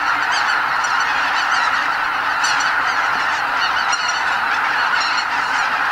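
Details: A huge flock of greater white-fronted geese, close to 80,000 birds, leaving their roost on Lake Miyajimanuma, Bibai, Hokkaido, Japan, before sunrise on spring migration northward: a dense, continuous roar of overlapping honking and yelping calls without pause.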